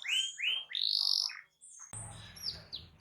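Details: Canary giving a loud song meant to prompt other canaries to sing. It has rising whistled sweeps and a bright sustained trill. After an abrupt cut it continues in softer, scattered high chirps over faint low hum.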